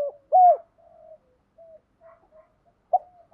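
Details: Spotted dove cooing, used to stimulate decoy doves to call: low, hollow coos, one loud rounded note, then several soft drawn-out hums, and another strong coo near the end.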